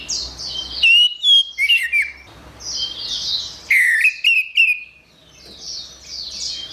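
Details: Orange-headed thrush song from a long tutor recording for training songbirds: loud whistled phrases near the middle register, slurred and wavering, in bursts, over a steady backdrop of quick, higher, repeated chirps.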